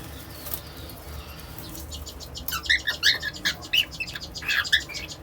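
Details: An albino baby cockatiel sings short, chirpy whistled notes mixed with sharp clicking bursts, coming in after a quiet start.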